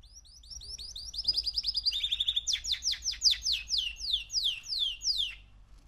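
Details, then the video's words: Song of a young male canary, three months old: a fast, high twittering trill that drops into a dense buzzy roll, then slows into a series of loud, sweeping downslurred notes. "Kanarya Sesi 3 Aylık Erkek Canary"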